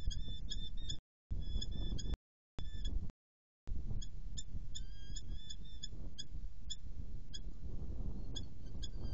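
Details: A female Eurasian hobby in Hungary on 15 June 2014 at 11:46 gives sharp, high, rapid 'kew-kew-kew' notes in quick bursts over a steady low rumble of wind.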